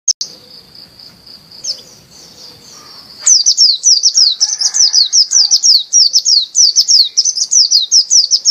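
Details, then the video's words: White-eye of the dakun Bali type, a champion bird singing vigorously: a steady high thin tone for three seconds, then a fast run of sharp, high, down-slurred whistled notes, about two to three per second, until the end. "SUARA PLECI DAKUN BALI JUARA GACOR"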